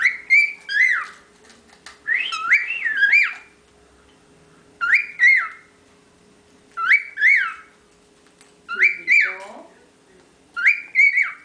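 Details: Young cockatiel, the youngest of ten kept together, whistling a rising-and-falling two- to three-note phrase, repeated about every two seconds, six phrases in all, over a faint steady hum.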